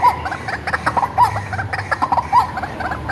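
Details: White-breasted waterhen reared from a chick and used as a lure: chattering, nasal croaks in short repeated phrases roughly every second, with a faint low hum beneath.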